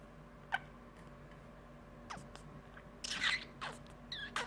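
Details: A male pet budgerigar gives a few quick, scratchy chirps and falling squeaks in a quiet room.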